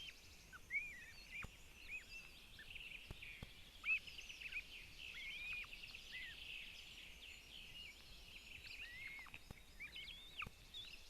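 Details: Two Northern Goshawk chicks at a nest in Zemgale, Latvia beg with thin, high whistled notes that slur up and down, repeated irregularly every second or so over a steady outdoor hiss, as the mother brings food.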